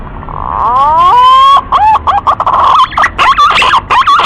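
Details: Green pigeon call played to attract birds for hunting: a rising, drawn-out whistle, then choppy, looping whistles in quick bursts with short gaps.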